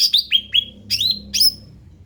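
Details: Ruby-throated bulbul, described as endemic, sings a lively phrase of three quick upswept whistles followed by two longer, buzzy slurred notes, with a low rumble in the background.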